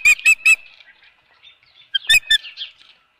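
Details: Osprey at its Dunrovin Ranch nest holding a fish, 24 April 2018, 4:19 PM: three quick piercing whistles, a quiet gap, then two or three more sharp chirps and softer trailing notes.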